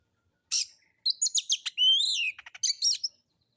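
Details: Kacer (Oriental magpie-robin) lure song in rough material: a scratchy burst, a string of sharp chips, a long rising-falling whistle, low ticks, then a final buzzy flourish, against a silent background.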